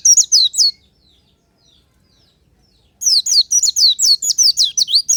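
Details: Natural Oriental white-eye song in the morning, used as a lure: a short high twitter, a silence of about two seconds, then a long, lively run of quick, sweet downslurred notes.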